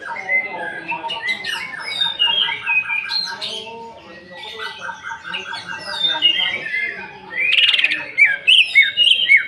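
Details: Greater green leafbird song used to provoke singing: long varied sequence of harsh squawks, fast repeated stuttering notes, brief pause, then more rattling bursts and whistled phrases.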